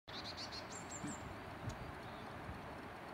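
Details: Single long-tailed tit at Redmires Woods, Peak District, UK: a quick run of thin, very high see-see notes, then a few even higher, sharper ones, over a steady low background rumble.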